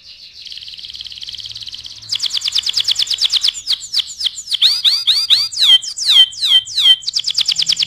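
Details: Canary song for tutoring other birds opens with a steady high rolling trill, then changes to fast staccato bursts and series of downslurred whistles, ending in another rapid trill.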